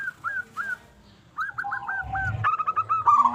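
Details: Strong-voiced local zebra dove singing as a lure for other zebra doves: soft spaced hooked notes, then a fast series of descending coos leading into a buzzy rolling trill, with a brief low thump.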